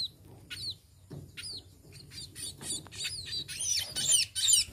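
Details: Tame sparrow starting with spaced, high, falling chirps, then speeding into a denser, louder burst of twittering near the end.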